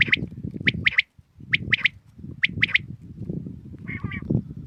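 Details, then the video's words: Common quail recorded in the morning gives its sharp three-note 'wet-my-lips' phrase about every second, over a steady low rumble of wind and handling noise. "Batair Ki Awaz ki Recoding| Khali Batair ki Batair ki Awaz| Quail sounds|lCommon Quail"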